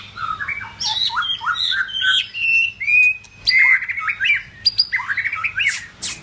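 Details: White-rumped shama in form building, singing a rich continuous run of varied whistles, slurred phrases and sharp clicks, with a long pure whistle near the middle and rapid mixed notes toward the end.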